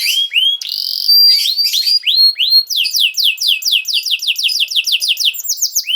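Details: Canary singing to teach young canaries: upswept whistles and a held pure tone, then a long fast series of descending slurred notes.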